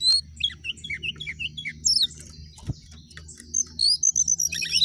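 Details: Jongkangan singing lively rising and falling phrases: a run of short repeated high chirps, then a quieter stretch, then loud clipped whistles and bright tweets, with a low mechanical hum throughout.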